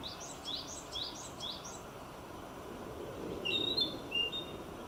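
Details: Narcissus flycatcher singing while foraging, recorded in 2018: a quick series of five rising-falling whistled notes repeated about three per second, followed by a few higher thin clear whistles, over a low steady background rumble.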